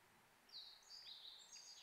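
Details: Brambling calls in the mountains of the Kanto region, Japan, in late March: thin, high, drawn-out notes, several overlapping and some sliding downward, over a soft steady hiss.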